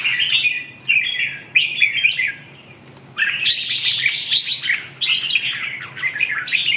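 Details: Red-whiskered bulbul singing: bursts of bright, warbled phrases, each about half a second to a second long, separated by short pauses, with a quiet gap near the middle before a fuller, busier stretch of varied notes.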